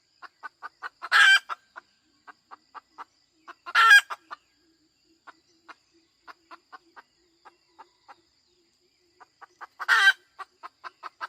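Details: Hen chicken with long runs of soft, evenly spaced clucks, interrupted three times by a brief, loud, harsh squawk, with a quieter stretch of scattered clucks between.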